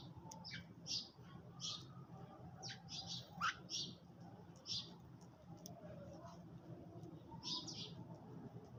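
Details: Sparrows eating in the early morning chirp busily: repeated high, sharp chirps, sometimes in quick pairs or clusters, over a constant low background rumble.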